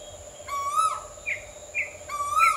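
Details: Asian koel giving rising whistled notes about 1.6 seconds apart, with two short, higher, clipped notes between them and a steady background hum.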